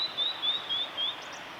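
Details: Male blue-and-white flycatcher singing in spring on a forest road at Lake Miyagase, Japan, 25 April 2016, recorded in 4K; five high whistled notes, each slightly rising, evenly spaced, followed by two faint high chips over steady background hiss.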